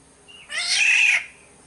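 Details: Black-naped oriole from Sumbawa, used as a lure recording: a single harsh, nasal, cat-like squall lasting about seven-tenths of a second, preceded by a faint short thin whistle, in a quiet background.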